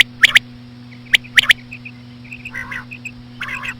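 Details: Slow female common quail sounds for attracting quail: sharp paired clicks, soft chirps, and two short nasal harmonic calls, accompanied by a low steady hum.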